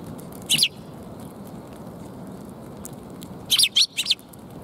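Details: Sparrows at a Tenmangu shrine, recorded 2 March 2021: a single sharp chirp early on, then a quick cluster of three or four high chirps near the end over steady low background hum.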